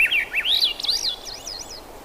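A thrush sings a rich run of whistled, warbling phrases that swoop up and down in pitch, ending in softer looping notes. Faint background hiss.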